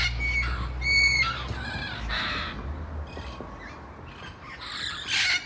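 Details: Wild parrots in San Diego, a big noisy group: shrill screeching squawks, several sharp nasal calls with clear ringing tones, then overlapping raucous bursts, with low background rumble throughout.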